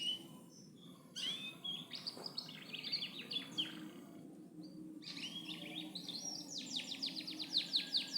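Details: Canary singing in loper style: varied high chirps and whistled notes after a quiet start, ending in a fast run of sharp repeated notes.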